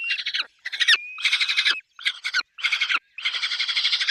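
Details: Peregrine falcon at the nest with chicks: loud, grating, rapidly pulsed cackling bursts repeated in a steady run with brief pauses, one with a short thin whine mixed in.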